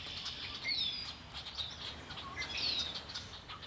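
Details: Birds singing by Lake Erie: thin whistled downslurred notes and scattered chirps from several birds over a steady high hiss.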